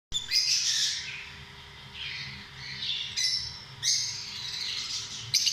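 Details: Lovebirds giving shrill, high chirping and squawking calls in four or five bursts, each about a second long, with brief quieter gaps between them.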